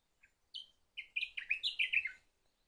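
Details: Single clear Sakhalin grasshopper warbler phrase: a soft lead-in note, then a loud run of about eight quick whistled notes swinging between pitches and fading into a slurred ending, on a quiet background.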